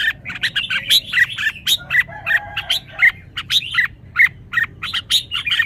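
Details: Red-whiskered bulbul singing its phrased song (samnuan): rapid, clear chirps and slurred whistles tumble in quick succession, some notes sharply rising.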